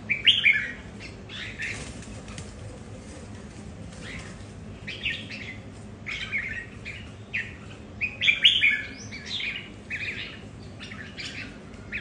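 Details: Red-whiskered bulbuls kept at home vie over territory: a loud warbled phrase opens, followed by intermittent short chirpy bursts and another strong, bright phrase later on, over constant low background noise.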